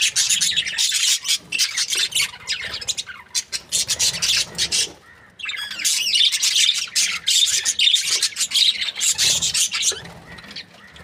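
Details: Happy budgerigar pair kept for breeding: long runs of fast, raspy high chatter, broken by a short lull near the middle before the twittering resumes.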